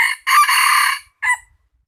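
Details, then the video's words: Rooster crowing loudly up close: a short opening note, then a long, even, harsh harmonic crow lasting about three-quarters of a second, ending with a brief clipped final note. Quiet background. "Qaib qug tuaj zoo heev lawm"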